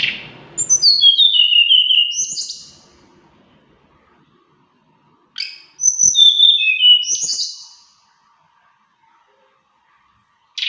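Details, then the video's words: Mountain flowerpecker singing a varied melodious song: high thin descending whistled notes in two bursts of about two seconds each, separated by silence, with faint clicks. "TLEDEKAN GUNUNG SUARA BERVARIASI MERDU"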